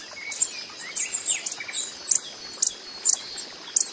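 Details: Coppery-headed emerald hummingbird calling in the wild, giving brief piercing high chips at uneven intervals, a few slightly lower slurred notes between them, faint steady hiss underneath.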